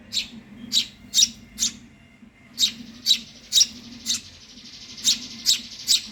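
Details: Eurasian tree sparrow chick, hungry and begging, giving a series of short, harsh high chirps in loose clusters with a brief gap midway, against a constant low background hum.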